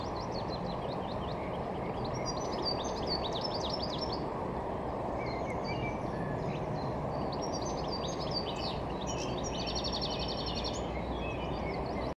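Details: A European goldfinch singing high in a wind-swayed tree at Holten on 21 June 2019: a bright, tinkling twitter of quick high notes with a brief dry trill near the end, over a steady roar of traffic or wind.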